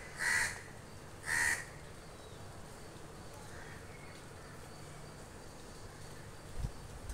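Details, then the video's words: Crows calling toward the person recording: two loud harsh caws in quick succession at the start, then a faint distant call and a low thump near the end over quiet outdoor background. "crows calling me"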